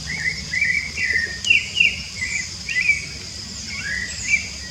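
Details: Rufous-bellied thrush singing in the wild, giving clear, separate whistled phrases that slide down or rise and then fall, about two each second, with a constant high insect drone behind.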